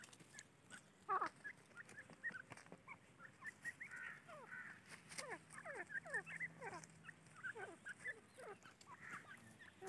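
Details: Grey francolin chicks kept on a farm: many soft, thin descending peeps repeated in quick, uneven series, several birds overlapping, with faint clicks and rustling in the background.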